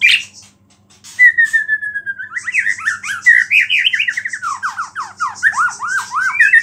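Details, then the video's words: White-rumped shama song used to provoke rival shamas, with small-bird imitations: a long whistled note sliding down, then a rapid run of loud looping, bouncing whistles repeated several times a second, with high buzzing behind. "MURAI BATU GACOR ISIAN BURUNG KECIL"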